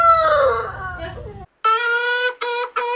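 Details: Rooster crowing: a loud, harmonic-rich crow slides downward and fades, then after a short silence a new crow begins with a sustained nasal note followed by two brief clipped bursts.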